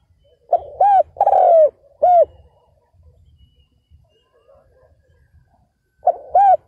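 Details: Spotted dove decoy calling to lure wild males: one full phrase of arched and long falling coos over low thumping, a quiet gap, then the next phrase beginning.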